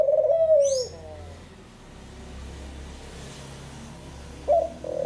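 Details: Picazuro pigeon giving one low, mellow cooing phrase that falls slightly, then a long quiet gap before a second coo starts at the end; a brief high thin whistle from another bird follows the first phrase.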